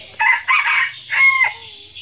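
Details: A red junglefowl decoy rooster, kept to lure wild roosters, gives a brief, clipped crow in three hoarse bursts over two seconds, the last note drawn out and falling.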